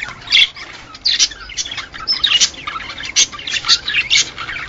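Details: Budgerigar males singing to spur males and females toward mating: loud, rapid bursts of bright chirps and harsh notes, several per second, with softer chatter between.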